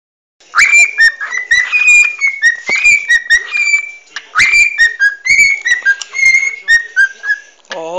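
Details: Pet parrot indoors, wanting to be cuddled while its head is scratched, filmed by phone, giving a long stream of clear whistled notes, some rising and sliding, mixed with chattering clicks and squeaks.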